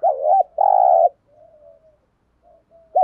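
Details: Spotted dove giving high-pressure provoking coos meant to draw answering calls from wild doves: a bent hooting note, a long harsh sustained coo, soft trailing murmurs, then another coo starting.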